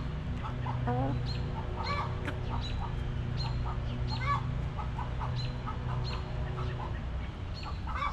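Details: Back yard hens relaxing in their coop, clucking steadily: many short clucks and a few brief rolling, stuttered notes from several birds, over a constant low hum.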